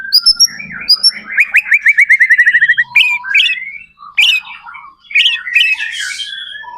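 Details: White-rumped shama singing as a lure to set other shamas singing: a fast rhythmic run of about a dozen identical whistled chips, then slurred whistles, harsh notes and a rasping burst.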